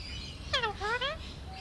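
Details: Pet Alexandrine parakeet in a back-and-forth with its owner, uttering a falling harmonic note then a rising two-part phrase, like imitated speech, with a faint whistle at the end.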